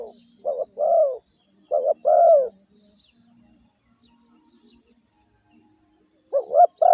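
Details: Decoy spotted dove in a cage giving its luring 'gáy gù' coo: two quick paired phrases of soft hollow notes, a silent gap of about four seconds, then the phrase starting again.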